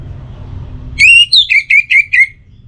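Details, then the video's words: Orange-headed thrush singing, a lure meant to set other birds singing morning and evening: a strong whistled phrase of six notes, the first long and level, the rest shorter, falling slightly in pitch. "Pancingan Suara ANIS MERAH Untuk Pagi dan Sore Hari Agar Burung Jadi Tambah Gacor"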